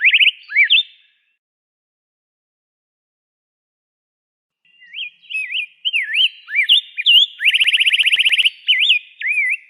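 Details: Rose-breasted grosbeak song: a short burst of slurred whistles, a pause of nearly four seconds, then a lively string of warbled rising and falling notes with a fast stuttering run and faint higher chips.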